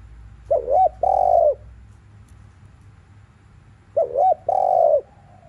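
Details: Spotted dove cooing in the afternoon in the 'thúc liu riu' style used to stir other doves to call: two phrases about three seconds apart, each a short wavering double note followed by a long, steady, mellow coo.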